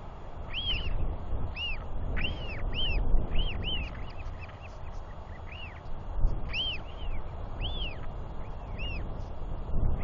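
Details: Royal albatross chicks wheeing as an adult male feeds and preens his chick, another chick calling close by, 9 June 2021; clear arched whistles repeated several per second in irregular runs over gusty low wind.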